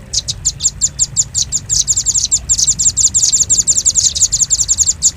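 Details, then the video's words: A lure recording of a velvet-fronted nuthatch for drawing birds in: a steady stream of thin, piercing chips, closely spaced and slightly uneven, continuing without a break over soft background hiss. "Suara pikat burung rambatan paruh merah paling ampuh"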